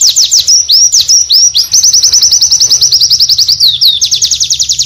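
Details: Oriental white-eye singing a long, varied song: rapid high, thin downslurred notes repeated about two to three per second, with a few twisted phrases at the start and a fast run near the end. A low steady hum sits underneath.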